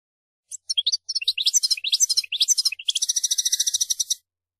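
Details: Energetic song of a European goldfinch: tumbling, high, liquid twitters and sliding chirps speed up into a steady, rapid, buzzy trill lasting about a second.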